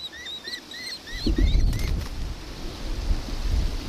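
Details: Nankeen kestrel in Victoria, Australia, recorded 4 December 2024: a short run of thin, rising-falling high notes, soon drowned by a loud low rumble.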